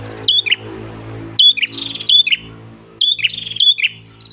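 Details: A tailorbird (prenjak), in a recording meant as a lure or training call, sings loud, high whistled phrases with quick downward slurs, in bursts about every second, over a faint low hum.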